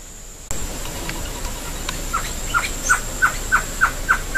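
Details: Great antshrike (Taraba major) song: a run of hollow hooting notes that grow louder and slightly quicker.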